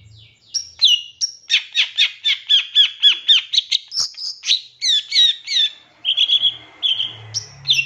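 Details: Long-tailed shrike in a full-fill master song used to train captive birds. A rapid series of about fifteen clear descending notes, then squeaky whistles and a short buzzy trill, with faint low background noise.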